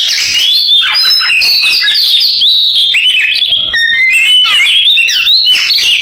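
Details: Oriental magpie-robin in full canary-imitation song, with busy rippling trills and high chirps run together, a brief faint break, then more rapid warbling.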